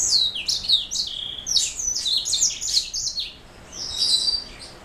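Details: Rapid high-pitched song from a black-throat mule: clusters of sharp chirps and stepped whistles, ending in a fainter trilled phrase, against a quiet room background.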